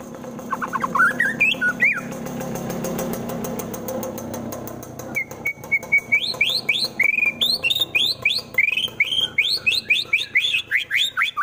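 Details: Rival-provoking song of a kept white-rumped shama in Wonosobo, Central Java: a few whistles over loud rumbling noise, then a long, steady series of repeated bright rising whistled notes about three times a second.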